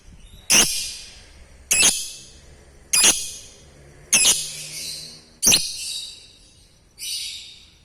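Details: Lovebird call used to get other lovebirds responding and chattering; six loud harsh shrieking squawks, each with a fading buzzy tail, repeated roughly every one and a quarter seconds.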